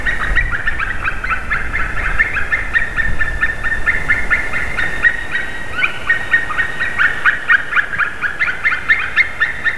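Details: White-tailed eagle calling on 30 March 2019 at 14:43, during a changeover at a favourite tree: a long run of rapid, yelping, slightly hoarse notes, repeated quickly and overlapping in bursts, over low rumbling background noise.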